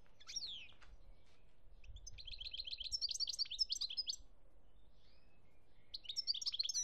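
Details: European goldfinch song recorded in Algeria in 2017: a sweeping call, then a long run of rapid twittering, buzzy and tinkling notes, ending in another bright burst.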